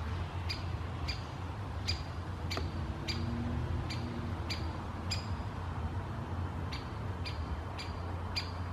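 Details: Great spotted woodpecker (Dendrocopos major) foraging on thin branches in a birch canopy in Helsinki, Finland, in August 2024, calling about a dozen sharp, high 'kik' notes at an uneven pace, roughly one a second, over a low steady rumble.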